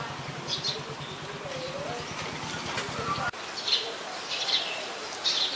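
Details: Scaly-breasted munia recorded in Ubon Ratchathani, Thailand, on 26 March 2022: short high chirping notes in small clusters, sounding about once a second, over a low engine-like drone that stops partway, plus a steady background hum.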